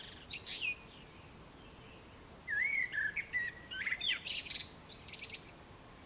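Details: A Common blackbird (Turdus merula) sings a brief high twitter, then a mellow, fluted warble that breaks into thin, squeaky high twittering at the end.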